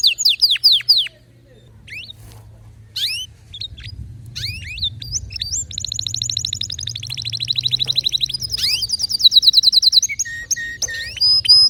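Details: Canary song with distinctive notes, opening with quick descending slurs, then scattered chirps and a long rapid trill of repeated syllables, ending with short level whistles.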